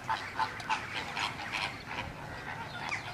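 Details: Gadwall at Slimbridge: three quick nasal notes open, then a looser string of fainter calls over a busy background of other birds.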